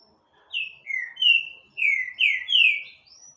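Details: Rufous-bellied thrush singing strongly: a run of six loud, clear whistled notes, each sliding downward, delivered in quick succession and ending with a thin high whistle.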